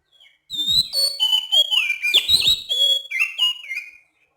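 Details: Clear, rhythmic whistled phrase from an oriental magpie-robin at night, a Sumatran forest bird; sustained high whistles alternate with quick slurs and lower notes over about three and a half seconds.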